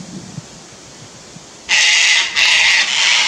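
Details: After a quiet start, harsh screeching from Sulphur-crested cockatoos objecting to a Lace Monitor near their nest tree, Fraser Coast, Queensland, Australia; two rasping screams follow one another with barely a pause.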